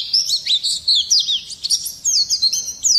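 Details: Brief burst of vigorous, harsh rolling Oriental white-eye song of the type used to provoke other birds; rapid high chirps and squeaky slurred whistles tumbling over three seconds.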